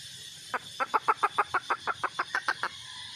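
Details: Softer, more distant-sounding red junglefowl hen clucks, about a dozen short notes in quick regular succession over two seconds.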